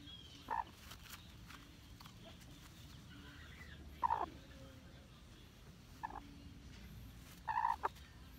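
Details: Hmong black chicken producing four brief, gravelly clucks at uneven intervals, the last a slightly longer burst, over a quiet rumbling background.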